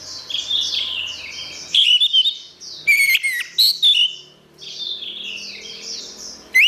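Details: Orange-headed thrush singing, played for songbird training: rapid high twitters, then a series of loud clipped whistled and buzzy notes in quick succession, followed by more soft high chatter and a final sharp note.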